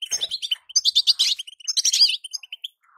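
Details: High, liquid twitter from a female European goldfinch, meant to hasten song in a moulting male: dense chirps swell into a bright rattling burst, then fade to a few spaced notes.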